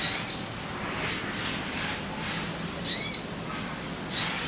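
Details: Sogon bird calling as a lure to make caged birds sing: short, sharp high chirps given in separate bursts a second or more apart, over a quiet hiss.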